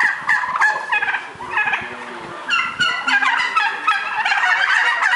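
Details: Barn-reared white domestic turkeys on a farm, a flock gobbling together: overlapping rapid, rattling bursts repeated in quick succession, with a busy indoor background of many birds.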